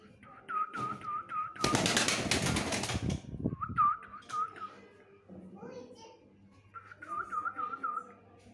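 A pigeon gives quick runs of thin, squeaky whistled notes, broken by a burst of rustling flutter.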